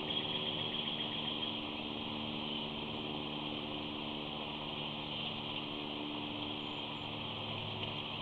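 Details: A steady engine-like hum with a constant high drone fills the recording, and no animal voice stands out.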